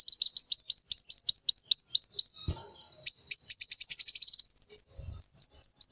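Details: Kolibri wulung sunbird, used as a lure sound for catching sunbirds: rapid, very high thin ticking notes repeated in a steady run, a short pause, then a faster trill rising into sharp squeaky whistles.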